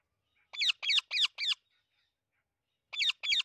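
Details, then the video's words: Amazon parrot screaming: four loud, harsh, rasping squawks in quick succession, a pause, then two more. "Amazon parrot natural sound/ Amazon parrot screaming sounds"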